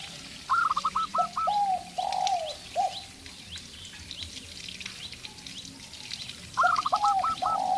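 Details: Local zebra dove singing well beside a spotted dove that is being provoked to call: two bouts of rapid staccato cooing notes that fall into longer, lower coos, with a quiet gap between bouts and faint background chirping.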